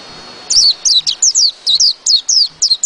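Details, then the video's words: White-eye singing in the rolling wild style known locally as ngerol ngalas: about ten sharp, very high whistled notes, each sliding downward, delivered in quick bursts after a brief quiet start, with faint low thumps beneath. "PLECI NGEROL NGALAS"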